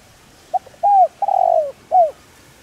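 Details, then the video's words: A single spotted dove calling phrase, used to lure and train decoy birds. A brief soft lead-in is followed by an arched coo, a long drawn descending coo and a final arched coo, all clear and mid-pitched. "Cu gáy Gáy Gọi giọng sát bổi kích mồi tập bổi hiệu quả/kích bổi nhanh gáy"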